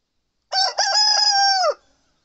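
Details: Male Satsuma chicken rooster, seven months old, crowing in the morning: one loud, harmonically rich cock-a-doodle-doo lasting about a second, with a short broken opening and a long level note that drops at the end, against a silent background.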